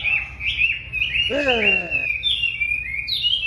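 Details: Very tame wambi singing actively with high continuous whistling slurs; midway a loud descending harmonic sweep cuts across the song briefly before the bird resumes wavering whistled notes.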